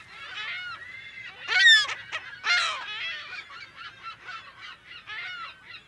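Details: Calls of California gulls in their colony, recorded close to medium distance in mono: two loud, raucous nearby screams stand out early over a constant din of many birds yelping and mewing.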